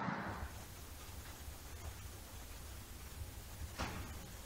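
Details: Low droning hum with a brief knock at the start and another soft thump near the end, and no animal sounds.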